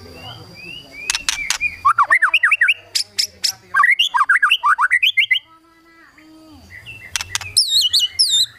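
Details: White-rumped shama delivering kretekan song to stir rival birds into singing, with quick tumbling series of rising and falling whistled notes interspersed with loud sharp clicks, a pause, then high wavering whistles.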